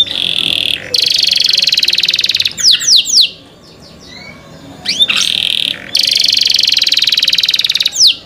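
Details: Cenkok-style canary song: an intense high buzzy trill, a few sharp descending whistles, a quiet gap with soft notes, then another long rattling trill and a final falling whistle.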